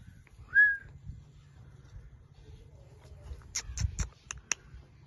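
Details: Indian ringneck parrot kept as a pet, a blue bird; one clear whistled rising-falling note early, then a rapid burst of sharp clicky chirps in a cluster near the end, with low hum underneath.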